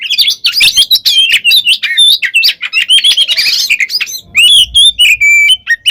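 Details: Oriental magpie-robin delivering a continuous, dense 'ngeplong' fighting song to stir rival birds into answering: a tumbling mix of sharp whistles, trills and buzzy notes, ending with clearer drawn-out whistles.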